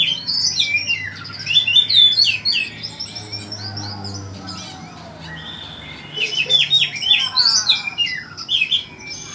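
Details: Oriental magpie-robin singing in two energetic bursts of varied, rapid whistles, slurred chirps and trills, separated by a quieter stretch of thin whistled notes, with a low background hum.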